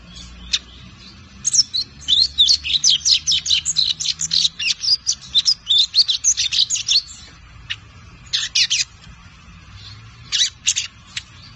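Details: Five-month-old lined seedeater in brown plumage practising the Tui Tui zel zel song: a dense run of sharp, high, rapid chirped notes lasting several seconds, then a few scattered single notes and short pairs.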